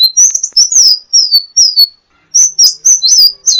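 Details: Kolibri ninja sunbird song used to train other birds: loud, high whistled chirps and slurred notes in quick succession, a short pause, then another rapid run.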